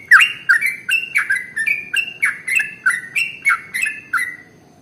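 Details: A sooty-headed bulbul (trucukan) sings at length as a training lure for other birds, giving a steady series of clear whistled notes with sharp clicky onsets, about three per second, then stopping.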